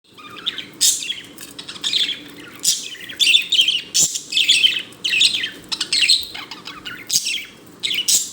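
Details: A pet budgerigar, dancing and making happy sounds, chatters in quick bursts of bright, scratchy chirps and warbles.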